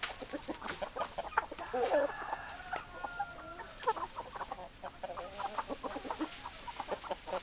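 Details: Chickens clucking, with one drawn-out, wavering harmonic call near the start among scattered soft clucks and background knocks.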